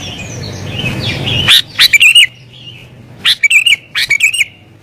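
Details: Excited sooty-headed bulbul song used for attracting wild kutilang: low noise at first, then two bursts of quick, warbled, bubbly notes separated by a pause.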